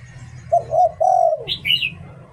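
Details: Spotted dove decoy singing 'liu tan': a short coo, a wavering hoot and a long falling note. A higher, chirpy bird call follows immediately afterwards. Background hum is present.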